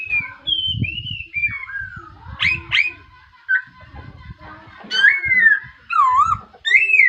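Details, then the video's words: A laughingthrush sings in the morning with rich whistled glides, sharp upward strokes and wavering trilled notes. Low murmuring, like distant voices or handling, runs beneath the song. "khướu mun hót buổi sáng"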